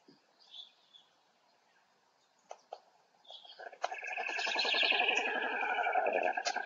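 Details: Black stork chicks in an oak nest in Poland, filmed by nest camera on 3 July 2020, calling for a parent before a goshawk arrives; faint scattered sounds, then a loud, sustained, harsh and buzzy chorus from about four seconds.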